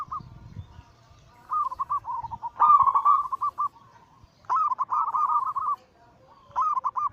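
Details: Zebra dove anggungan coo, a local Bangkok crossing perkutut used as a daily lure for other doves: three to four steady rolling phrases of quick pulsed notes, each over a second long, separated by short pauses.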